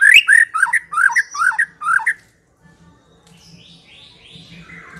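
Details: White-rumped shama song for luring: two seconds of loud, rich, rolling warbled phrases, then a pause. Faint distant bird notes and a low hum follow.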